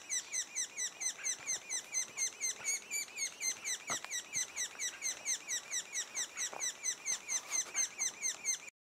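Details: Sapsucker nest two days before the first fledging, with a continuous run of rapid, regular, high chirping notes about two per second and a few faint soft knocks in the background.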